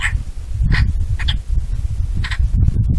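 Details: Bonelli's eagle (Aquila fasciata) giving short, sharp yelping notes in a brief irregular series, each a clipped bright burst, over strong low wind rumble.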